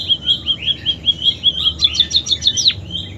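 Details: ['Munia singing with canary song imitations: a run of short, even whistled notes at about five per second, then a quicker burst of sharp, high downward-sweeping notes. Faint low background hum.']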